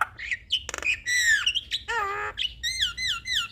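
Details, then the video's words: Lively tutor song of a Javan myna, full of varied phrases: slurred whistles, a rattling burst, a long harmonic descending note, a nasal squawk, then repeated downslurred whistled notes. "Masteran jalak Gacor Semua Jenis Jalak Akan Niru Suara Kicauan Jalak Kebo gacor Full isian"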